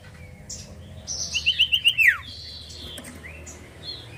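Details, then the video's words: Common iora singing as a lure recording: five rapid, clear whistled notes on an even pitch lead into a sliding downward whistle. Scattered chirps from other birds and a steady low rumble fill the background. "pancingan ampuh burung cipoh bahan langsung nyautt"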